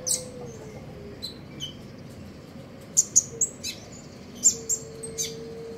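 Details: Common iora singing in the trotol ngeriwik style in the morning: scattered sharp, high chirps and short twittering notes in irregular bursts, over a steady low hum.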